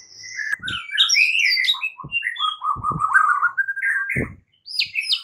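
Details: Morning murai batu, the white-rumped shama, singing as a fighting lure: a fast run of varied whistled and warbled notes, some buzzy trills, with a few low knocks and a brief silence near the end.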